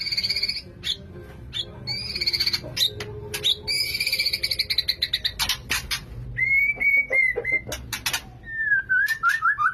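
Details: Male white-rumped shama in breeding condition courting a female: buzzy, harsh rasping notes and sharp clicks at first, then clear, sweet whistled phrases that rise and waver near the end.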